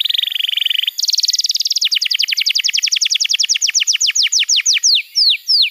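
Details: Canary singing as training material for juveniles and to coax quiet birds into song: a buzzy trill shifts to a higher trill, then breaks into a long roll of downslurred notes that gradually spread apart.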